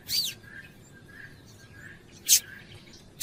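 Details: Female Double-collared seedeater calling to excite the male: a sharp descending high chirp, faint soft notes, then two more bright piercing chirps.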